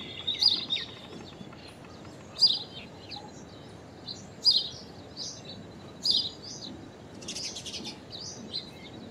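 Common Myna giving short, harsh, chattering notes, repeated roughly every two seconds, ending in a longer burry phrase; faint background hiss.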